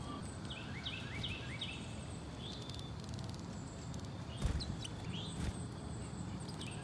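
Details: Brown-headed nuthatches coming repeatedly to be hand-fed seeds and suet give short, squeaky rising chirps in quick clusters of two or three, over a low rumble of wind with one soft thump.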